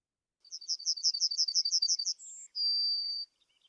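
A Yellowhammer sings a quick run of about ten thin, high chirps, then a brief higher note and a long drawn-out final note, the 'little bit of bread and no cheese' pattern.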